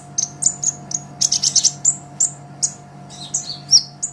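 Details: ['Olive-backed sunbird in full lively song, used as a master recording for songbird training: rapid, very high-pitched chirps and sharp whistled notes in quick bursts, with a faint constant hum underneath.']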